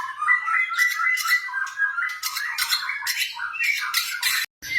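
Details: Blorok white-rumped shama kept as a cage bird, giving a lure song to spur quiet shamas: a sustained whistled line overlaid with repeated harsh, squawky bursts about twice per second, ending abruptly.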